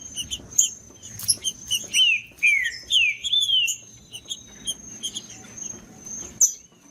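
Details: Wild rufous-bellied thrush in the bush, whistling a string of rich descending slurred notes after quick sharp chips. A constant high electric-like whine runs underneath.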